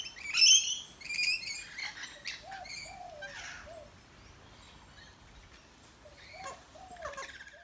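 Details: Rainbow lorikeets feeding in an Australian backyard, wild birds calling as they eat: a few loud, rasping screeches up front, then scattered quieter harsh chirps, with soft low swooping whistled notes recurring in the background.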